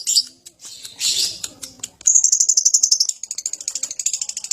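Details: Lovebird sound played daily to provoke other birds to sing: rough, scratchy chatter at first, then a fast, high, even series of sharp ticking notes, several per second, continuing to the end.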